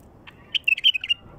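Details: A wild bulbul sings one brief phrase of several bright, liquid whistled notes run together, used to attract other wild bulbuls; quiet hiss behind.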